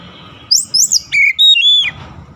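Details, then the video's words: Oriental magpie-robin (kacer) training for a long rolling song: a short phrase of high rising whistles followed by a pair of clear level notes over a low background murmur. "TERAPI HARIAN KACER CEPAT NGEROLL PANJANG"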